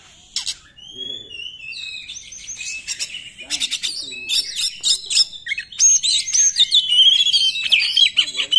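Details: Oriental magpie-robin 'nembak' song, a lure for magpie-robins that are not singing: clear whistles open into an increasingly dense, energetic stream of rapid chirps, rattles and sliding whistled notes.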